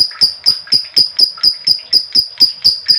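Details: Female lovebird giving a long ngekek trill, meant to set other lovebirds singing: rapid, even run of sharp high chattering notes, about four per second, steady throughout with no pause.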